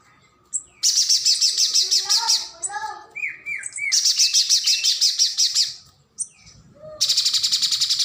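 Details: Streaked spiderhunter, a nectar-eating bird used as tutor song for competition birds. Long, loud, buzzy rattles of fast repeated notes, with lower whistled and slurred notes from another bird in the pauses.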